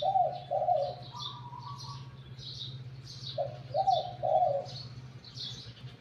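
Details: Decoy spotted dove, wild-caught, with a medium-to-deep voice, cooing in short three-syllable phrases, a mellow run of notes at the start and another a few seconds later, with high chirping birds in the background.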